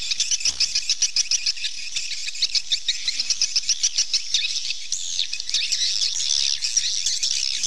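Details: Swallow calls: rhythmic high chirps pulsing about three times a second, becoming a denser, louder chatter in the second half.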